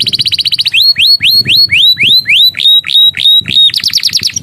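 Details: Master song of a canary carrying borrowed bar-winged prinia and Javan tesia phrases: a rapid buzzy trill leads into a string of loud rising whistled sweeps, ending in a harsh fast trill, with low thumps underneath.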